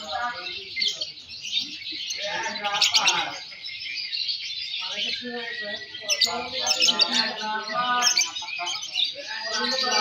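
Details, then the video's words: At a Balibu singing contest, fighter lovebirds (M1, M2) keep up a long unbroken stream of high chirping and twittering, louder bursts every few seconds, over a background of human chatter. "Suara Burung Loverbird Fighter M1, M2 Balibu Saat Lomba"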